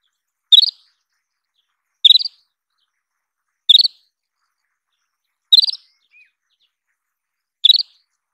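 Isabelline wheatear giving five short, high, sharp notes, one every one and a half to two seconds, in a quiet setting.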